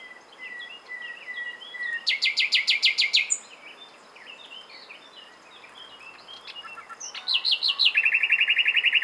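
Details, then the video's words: Nightingale song with varied soft chirps, then a loud rattling burst of very rapid notes, a pause with scattered quiet notes, and a fast, steady, high-pitched trill to close. "Słowik rdzawy (Luscinia megarhynchos) śpiew - Nightingale - Die Nachtigall - Le Rossignol philomèle"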